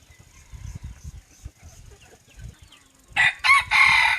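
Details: Decoy rooster crowing around 18:00 in the evening. Low rumbling background noise, then a loud, hoarse crow breaks in near the end as a few strong, ragged bursts.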